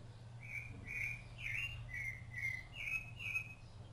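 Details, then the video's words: Rufous-bellied thrush singing while feeding its chicks. Seven clear whistled notes come in quick succession, each slightly slurred. One note dips and rises, and the last ones step a little higher. A steady low hum runs beneath. "SABIÁ LARANJEIRA CANTO"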